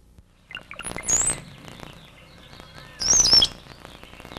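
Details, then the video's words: Brown-headed Cowbird, a nest parasite of the Willow Flycatcher in California, gives two phrases of low, liquid gurgling notes, each ending in a thin, very high sliding whistle, about two seconds apart. "Let's listen to the vocalization of the Brown-headed Cowbird. [ Brown-headed Cowbird ] >>"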